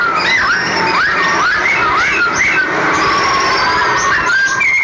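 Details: Caged sooty-headed bulbul (cucak cungkok) kept in the Semarang area, Indonesia, singing loud whistled phrases: repeated rising and falling slurred notes, then a long wavering whistle, over steady background noise.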